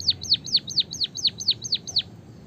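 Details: White-headed munia singing a canary-like rolling song: a steady series of about nine loud whistled notes, each sweeping sharply downward, repeated roughly four times per second, with a low background hum.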